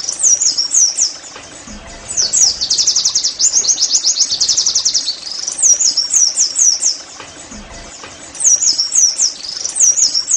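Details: Oriental white-eye song used as therapy to make caged birds sing: high, thin rapid chattering trills, bursts of fast repeated notes between downslurred whistled phrases, short quieter gaps between.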